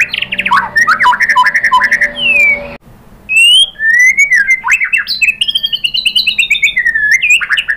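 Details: White-rumped shama song used to spur other birds to sing: quick downslurred notes in a rhythmic series, a short break, then long wavering whistles and rapid high trills to the end.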